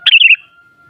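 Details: A single brief, liquid warble from a sooty-headed bulbul, bright and rolling, lasting under half a second over a faint steady hum.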